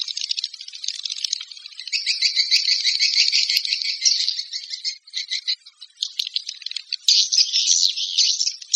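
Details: Swiftlet calling sound: rasping pulsed chatter, steady at first, then broken into short clicking groups near the middle before a dense buzzy burst at the end.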